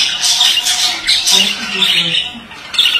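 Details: Dense, buzzy chatter from a male budgerigar: bright squeaky trills and rasping notes running without a break, with a faint low hum in the middle.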